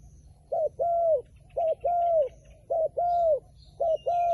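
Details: Wild pigeon repeating four pairs of coos, a short note followed by a long steady one, about once a second, with faint high twittering from other birds behind.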